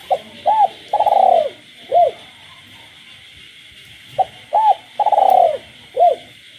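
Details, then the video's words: Captive spotted dove cooing through the night in the countryside with frogs calling. The phrase, a short note, an arched coo, a long rolling pulsed coo and a closing arched coo, comes twice about four seconds apart. A steady high hum runs underneath. "cu gáy trong đêm"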